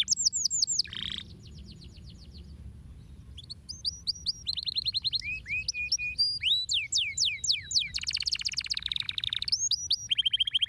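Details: Canary song meant to encourage other birds to sing, with a varied sequence of quick high trills, buzzy bursts, rising and falling slurred whistles, a brief quieter pause, and rapid rattling tours near the end.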